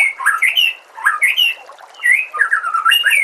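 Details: White-rumped shama song from a master recording for training captive birds: quick, varied phrases of rising and falling whistles mixed with squeaky, scratchy notes, given in bursts separated by brief pauses.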